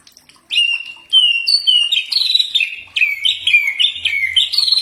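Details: Dense common iora song used for training birds, a lively string of varied whistles, some sliding up and some down, with little pause between notes.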